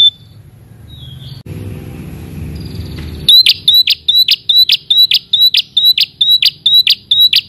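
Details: A prinia (red-headed prinia, called "prenjak kepala merah") calling to challenge a rival: a loud run of sharp, high, clipped notes, about two per second, after a few seconds of low background hum.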